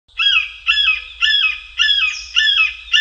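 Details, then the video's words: A red-shouldered hawk gives a steady series of loud, harsh, down-slurred kee-ah screams, about two each second, with nothing else heard. "Red Shouldered Hawk"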